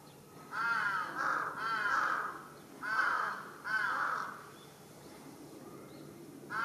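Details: Agitated large-billed crow calling from a utility pole in a residential neighbourhood, 1 July 2023, giving a run of four to five rough, arching caws at roughly one-second spacing, then a pause and another caw starting.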